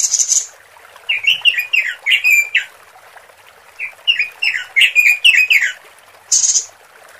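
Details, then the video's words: A female robin calls to males as a lure: a high hissing burst opens, followed by two bursts of rapid, warbling, up-and-down chirped notes separated by a pause, and a final high hiss. "Suara Pikat Robin Betina Untuk Pejantan"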